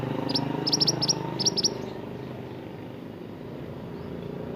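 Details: Mantenan, an Indonesian native songbird, singing in an energetic gacor style used for tutoring caged songbirds: a rapid burst of short, high, sharp chirps in clusters over the first two seconds, above steady low engine-like hum.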